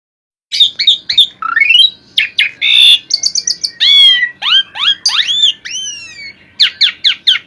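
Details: Asian pied starling in full, lively song from an audio track for training cage birds: varied whistled notes, sharp chirps, rising slurs and falling sweeps in quick succession, some harsh buzzy bursts.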